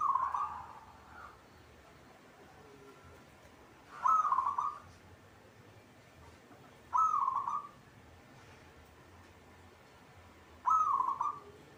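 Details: Caged local zebra dove, described as singing readily, delivers four short rolling coos at uneven gaps of three to four seconds, against a quiet background hum.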